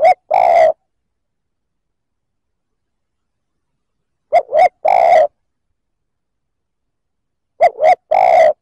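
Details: Repeated spotted dove coos used to provoke other males, each phrase two brief hoots plus a longer coo, returning roughly every three and a half seconds with clean silence between.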